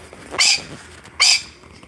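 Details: A male yellow golden pheasant, a colour mutation of the red golden, in an outdoor pheasantry on a warm 70° late-winter day after snowmelt, gives two harsh, high, rasping notes just under a second apart.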